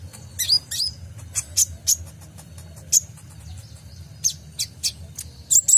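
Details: Sunbird (kolibri ninja) lure song for tutoring caged birds: scattered piercing high chirps and brief slurred whistles at irregular intervals, with steady low background hum.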